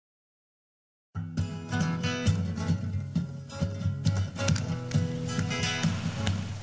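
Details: Silence gives way to strummed acoustic guitar music with a steady rhythm, and no animal calls are heard.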